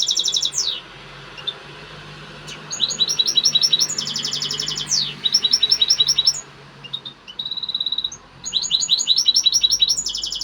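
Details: European goldfinch giving an excited, heated song: bursts of high, tinkling twitters, fast buzzy trills and sweeping downslurred notes in rapid runs, broken by brief pauses and one thin steady whistle near the middle.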